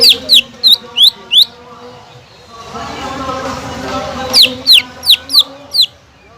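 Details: Greater green leafbird song meant to excite a leafbird that has gone quiet: two bursts of five sharp, downslurred whistles, separated by a stretch of low rumbling noise.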